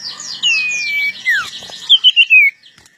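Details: Long-tailed shrike readied for a fight, giving a long falling whistle, a sharp downslur, then four quick descending chirps.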